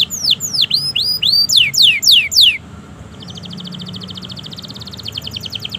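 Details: Canary song used to get silent canaries singing: loud curving whistles, some rising and some falling, then a quieter, rapid, even trill of high notes.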